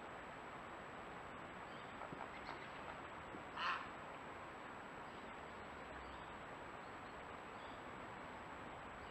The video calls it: Gray heron voice